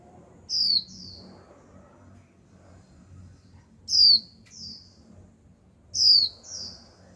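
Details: Young female Japanese white-eye, a kept cage bird, giving its 'chíu' call used to stir males into song: three bursts of thin, very high, downslurred notes, each followed by a softer second note, at about 0.6, 4 and 6 seconds.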